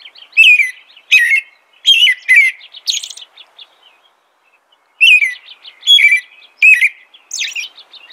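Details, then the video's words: American robin song: short whistled, warbling phrases about two per second, each slurring down with fainter high squeaky notes, a quiet pause midway before the caroling resumes. "American Robin Song.(Turdus migratorius)."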